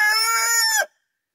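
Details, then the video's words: A rooster gives one loud, harsh crow lasting under a second, rich in buzzy overtones, which ends with an abrupt drop into silence. "Beautiful Rooster Crowing"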